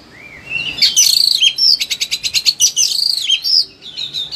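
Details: Highly excited Oriental magpie-robin singing a training song: a rising whistle, then dense buzzy trills and a rapid clicking rattle of evenly spaced notes, followed by warbled whistled phrases.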